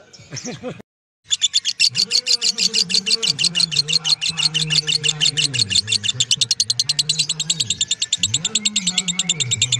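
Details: Lovebird ngekek, a prolonged continuous song: after a brief different sound and a moment of silence, a fast, relentless series of sharp, high chirps begins, about three per second, over a low wavering hum.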